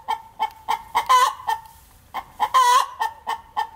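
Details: Hen perched in an apple tree, cackling just after laying an egg: a run of short clucks broken by two loud, drawn-out harsh 'ka-daak' notes, the pattern repeating twice within a few seconds.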